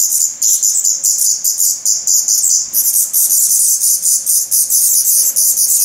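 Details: A brood of feathered Black Redstart chicks begs in the nest in Portugal on 17 May 2020: a thick, high, hissing chorus in fast pulses, with a faint steady tone underneath.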